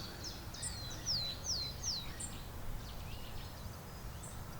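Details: Willow Tit, likely a territorial male calling in spring in the UK, high in a birch and moving toward a willow near reeds: a run of four clear, high, steeply down-slurred whistles, about two per second, over low wind rumble.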